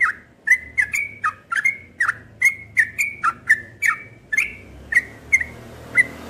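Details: Caged cream-vented bulbul outside at dawn on 31 July 2021 gives a rhythmic sequence of short whistled chirps, slurring up and down, ending with a lone quieter note.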